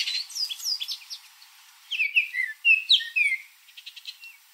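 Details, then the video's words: Baltimore oriole coming to a backyard for grape jelly: a scatter of high chirps, then loud clear whistled notes sliding down, three or four in a row, with faint ticking sounds at the end. "Baltimore Oriole Bird Call and Sounds"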